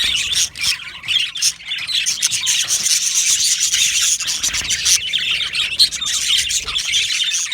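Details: Yellow male budgerigars in an aviary colony chirping together: a dense, continuous wash of high warbling and chattering notes with scattered sharp squawks.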